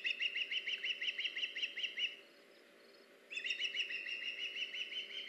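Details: Ospreys at a nest on a live camera, August 21, 2019, while the male brings the female a fish: rapid series of high whistled chirps, about three per second, pausing a second, then resuming over a steady background hiss.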